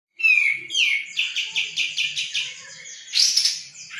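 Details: Sooty-headed bulbul, though possibly a different bulbul: a bright song opening with a rising whistle, then a series of quick, evenly spaced chirpy notes, and ending in a louder burst of high, buzzy notes.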